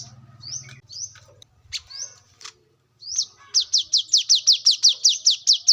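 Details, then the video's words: Brown-throated sunbird recorded in the wild for luring and tutoring birds: a few high upslurred whistles and scattered notes, then a rapid steady run of thin, sharp descending chips, about three per second. "kolibri kelapa | manggar | wiceh | pancingan korlap dengan suara asli alam liar gacor"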